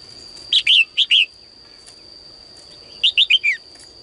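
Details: Caged female bird singing in the morning, calling males to sing more: short bursts of bright, high chirps, two quick pairs then a run of four falling notes, over a thin, steady high whine.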